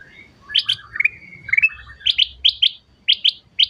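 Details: Golden-fronted leafbird singing a rapid string of whistles and chattering phrases, then sharp paired chips repeated about every half second.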